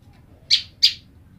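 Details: Female olive-backed tailorbird separated from her male partner calls for him with a pair of loud, high, sharp chirps roughly a third of a second apart over faint low hum.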